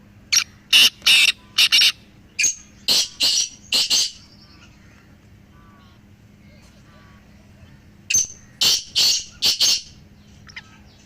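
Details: Three black francolins calling, played to make a kept francolin call more strongly. Two bursts of harsh, broadband grating notes, a rapid phrase of about eight notes, a pause of four seconds, then another phrase of about five notes.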